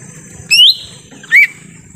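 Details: Lesser green leafbird in forest, a lure sound for wild birds: two clear whistled notes, the first rising steeply, the second shorter and lower, against a steady high hum.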